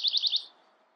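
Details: Bewick's wren: a brief run of four quick, high buzzy notes in an even rhythm that stops abruptly, followed by quiet background hiss.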